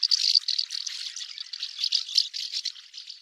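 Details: Common house martin (Delichon urbicum) giving a dense, dry twittering chatter of rapid, scratchy high notes, running on without pause for about three seconds, with no other sounds.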